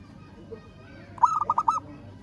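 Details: A single rolling phrase from a local zebra dove calling a rival: five clipped coo notes delivered rapidly, the last slightly drawn out, against faint low background noise.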